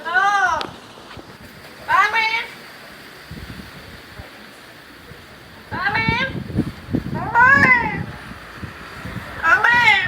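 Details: A pet parrot, a female trained over many days, calls out her owner's name. She gives five separate speech-like phrases, loud and strongly harmonic with wavering pitch, separated by pauses. Faint rustling sounds in the background.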